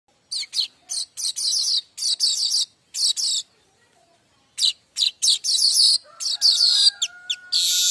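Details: Streaked weaver (manyar kembang) in full, lively song used as a tutor recording for young weavers: dense bursts of high, scratchy, rattling chatter broken by short pauses, then a longer buzzy hiss near the end.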